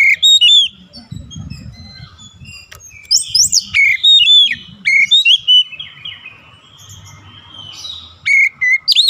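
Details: Oriental magpie-robin singing during daily training for a long rolling song; loud clear whistled notes come in quick bursts with swooping and buzzy high phrases, a softer stretch in between, and faint low rumble beneath.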